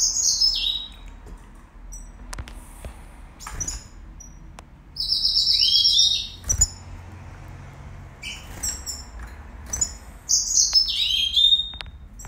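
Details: Red siskin song from 2019: separated phrases of high buzzy twitters and sweet down-slurred notes, each phrase a second or two long with short gaps between, over faint background clicks.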